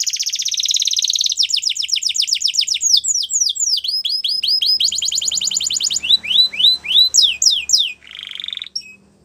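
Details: Belgian canary singing: rapid trills of repeated notes, fast downslurred whistles, buzzy rolls and a rising sweep, high-pitched and continuous, with a faint low hum beneath.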